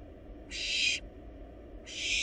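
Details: Barn owl nestlings in a wild nest box while devouring and swallowing a large rabbit, giving two broadband rasping hisses, each about half a second long, separated by a short pause, with faint low hum underneath.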